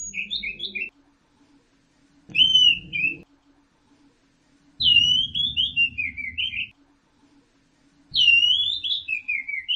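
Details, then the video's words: Orange-headed thrush, caged, gives four separate whistled phrases roughly two seconds apart, each a quick series of sliding notes, accompanied by low rumbling handling or mechanical noise. "Kicau Anis Merah Teler"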